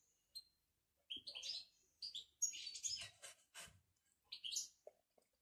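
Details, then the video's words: European goldfinch, Moroccan, singing bitbita: fast jumbled twitters and buzzy trilled notes in close-packed phrases, followed by a brief quieter chirping burst. "بتبتة الحسون المغربي"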